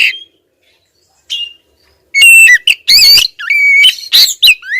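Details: Female Oriental magpie-robin (kacer) calling insistently at a male. Brief faint notes, a pause, then a loud run of whistled notes, harsh squawks and rising slurred whistles packed closely together.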